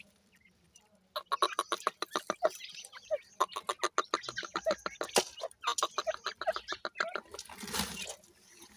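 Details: Twenty-day-old grey francolin chicks in care calling: after a quiet start, a quick series of short sharp peeps, about three to four per second, with rustling and a noisy burst near the end.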